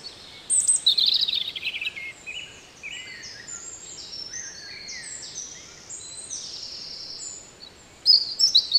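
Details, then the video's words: European robin singing in the Netherlands: a loud, high, varied warbling phrase of about a second and a half, then quieter distant song from other birds, and a fresh bright burst near the end. "One Hour Relaxing Birdsong: European Robin"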